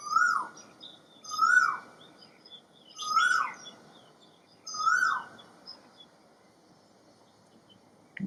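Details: Asian koel filmed drinking and calling in 2018: four loud, clear two-part notes, each sliding up then falling, repeated about every 1.7 seconds, with faint higher chirps from other birds behind, then a quiet stretch.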